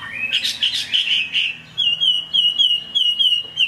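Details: Chinese hwamei in rain, opening with a dense burbling warble, then a short pause before a series of bright, rapid, evenly repeated whistled notes holding a steady pitch.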